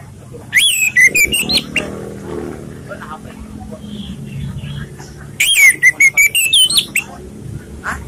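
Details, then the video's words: Orange-headed thrush singing in a relaxed style, suited as a lure for training other birds. Two bursts of rapid, whistled warbling with rising sweeps and trills arrive about four seconds apart, separated by a low background murmur. "ANIS MERAH bersuara santai/cocok untuk pancingan"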